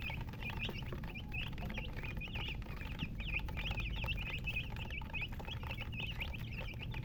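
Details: A group of colour chickens, known as murgi, peeping busily: thin, piercing chirps follow one another almost without pause, layered on deep background rumble.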